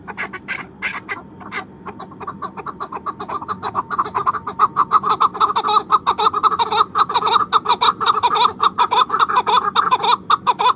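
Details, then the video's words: Chukar in Pakistan, noted as the national bird: a long series of rapid, clucking chuck notes, several per second, building from a sparse start into a steady loud chattering rhythm. "call of national bird of Pakistan chukar"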